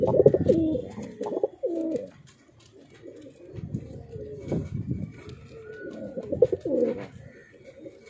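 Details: Sia pigeons cooing indoors: bursts of low throaty rolling coos, several in a row, broken by a short pause, then more cooing with soft rustling.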